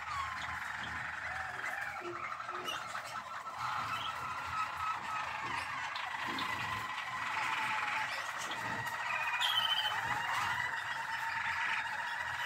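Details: Malinois waterslager canary, recorded 12 December 2023, delivering a sustained, smeared warble of trilled and bubbling notes that swells slightly toward the end, with faint background noise.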